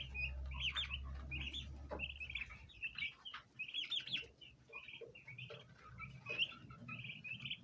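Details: Flock of domestic bronze turkey poults gathering to feed around ornamental plants. Rapid overlapping high chirps, some slurred downward, continue throughout over a low rumbling hum in the first seconds.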